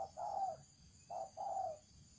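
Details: Thổ trần style cooing from a spotted dove used as a decoy: two pairs of mellow hooting notes, a clipped coo leading into a longer, slightly falling one, with a quiet hiss underneath.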